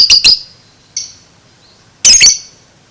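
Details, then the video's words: Lovebird, a young bird of about two months, giving loud chattering ngekek sounds: two harsh rapid bursts, a short squeak near one second, then another double harsh burst; quiet background between calls. "LOVEBIRD ini sekali BUNYI, Lovebird 2 Bulan gak BAKALAN DIAM, Langsung NYAUT NGEKEK"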